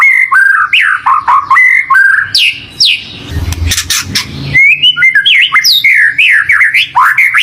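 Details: White-rumped shama song played as a lure to make a pet shama sing along and get fired up: loud, rapid, varied whistled phrases with sharp rising and falling notes, interrupted midway by a burst of harsh broadband noise.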